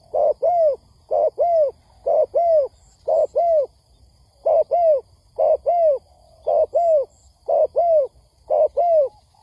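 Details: Spotted dove, recorded as a lure for trapping, repeating crisp paired coos, the second note arched and falling, about once a second in a steady series with a brief gap midway.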